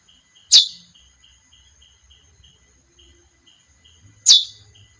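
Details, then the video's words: Two crisp, downward-sliding chips from a female chestnut-bellied seed finch, nearly four seconds apart, with a faint rhythmic buzz and steady high tone between them. "Canto Curió fêmea"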